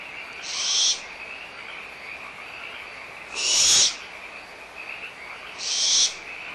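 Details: Excited barn owl young at Audubon Starr Ranch Sanctuary, 17 April 2011, quarrelling over leftover food: three loud, noisy screeches spaced roughly two and a half seconds apart over a continuous frog chorus.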